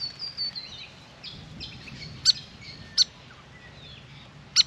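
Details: Grey fantail, an active birdbath visitor: faint high, thin squeaky phrases at first, followed by three sharp, clipped chip calls about a second apart.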